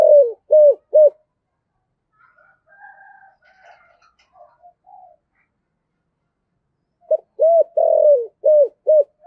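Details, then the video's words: Spotted dove decoy bird cooing in the giọng thổ song style: a burst of three loud arched coos, a quieter soft murmuring stretch, then a run of repeated hollow coos including one drawn-out note. "Chim Cu Mồi - cu gay giong tho cuc dinh gay goi"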